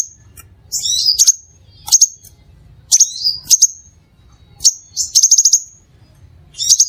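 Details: Lure song of a crimson sunbird for attracting other sunbirds: very high chirps and rapid trilled runs of five quick notes, with brief buzzy down-slurred phrases, loud and clean.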